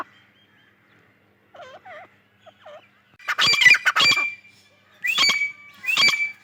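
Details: Grey francolin, female voice, in the breeding season: a few soft, wavering notes at first, then loud, harsh squawks and rising, ringing call phrases repeated about once a second.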